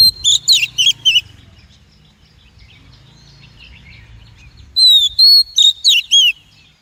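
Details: Calls of a female Oriental magpie-robin, used for exciting and training males and for trapping; a fast group of sharp down-slurred chips, a pause, then whistles and chips repeated.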